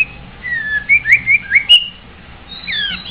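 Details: White-rumped shama singing a sequence of melodious sliding whistles, each note bending up or down, delivered in a quick run of about six phrases followed by a descending flourish.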